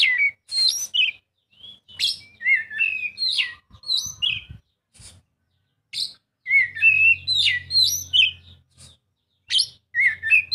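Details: Oriental magpie-robin song played to encourage a quiet bird to sing: varied whistles, slurred and chattering notes in rich, fast phrases with short gaps, over a faint low hum.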